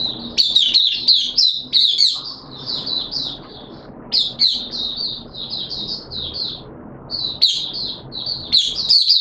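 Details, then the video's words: Oriental white-eye, a kept song bird in wet weather, singing in an open song session: rapid high twittering phrases of slurred notes, delivered in bursts with short pauses between them. "Mata Puteh T Rex Buka Sing"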